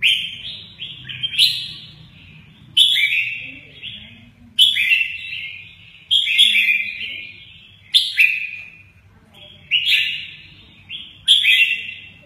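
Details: Red-whiskered bulbul delivering mơ ché nẹt style song with energetic wing display; clear ringing whistled phrases, each starting sharply then sliding lower, repeated roughly every two seconds over a quiet low background hum.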